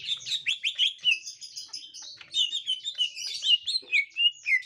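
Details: Young wild green leafbird found by a gotri-type green leafbird; continuous fast chattering of high, sliding chirps, roughly three to four notes a second.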